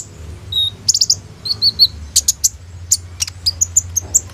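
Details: Prolific sunbird song recorded on an Oppo A37f phone and used as a lure to train young sunbirds: a mix of thin high whistles and sharp chirps in an irregular, quick sequence.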